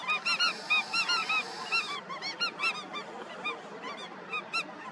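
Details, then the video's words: Colony of Indian skimmers in constant nasal, harmonic yapping: many overlapping short barks repeated rapidly, some slightly downslurred, with a steady hiss beneath and no other clear sounds. "Colony of Indian Skimmers"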